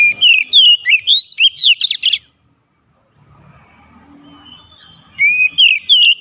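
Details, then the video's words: Oriental magpie-robin, a kept songbird, pours out a quick series of bright whistled notes for two seconds, falls silent with faint low rumbling, then resumes with several more looping whistles. "KACER MACET BUNYI CEPAT KELUAR SUARA GACOR"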